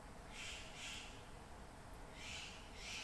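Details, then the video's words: MacGregor's bowerbird singing in rainforest in Papua New Guinea: broad, harsh rasping notes given in two pairs, each note short and buzzy, over a steady low forest hum. "Macgregor's bowerbird singing in rainforest, Papua New Guinea"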